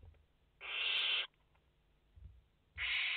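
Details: A single drawn-out, raspy hiss lasting over half a second, then another starting, from one of five barn owl chicks in the nest, live nest camera, 29 August 2021.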